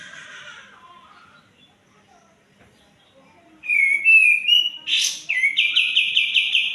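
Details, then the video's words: White-eared bulbul lure song for birds that sing poorly or not at all. A soft murmur gives way after a pause to a clear stepped whistled phrase, a sharp burst and a quick repeated trill. "pancingan burung kapas tembak... "ombyokan, macet, malas bunyi, dll""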